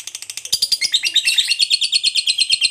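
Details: Short burst of a fighter lovebird's long ngekek trill, used to goad other lovebirds: harsh, rapid chattering notes stacked high, briefly dipping lower midway before continuing in quick regular pulses.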